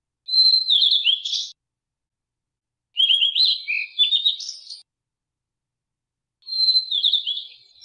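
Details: Song of a blue-and-white flycatcher: three high whistled phrases a few seconds apart, each a sustained note followed by rapid descending slurs and a buzzy ending, the middle phrase longer with lower warbled notes.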